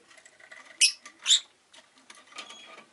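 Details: Two loud, rasping chirps from a pet rosy-faced lovebird close together, set against a busy wash of faint scratchy household and street noise.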